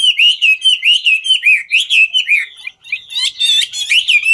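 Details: Dancing Chinese hwamei giving its ngũ trường song: a rapid string of clear whistled slurs rolling up and down, then a short gap and a burst of sharp, chattering notes before the whistles return.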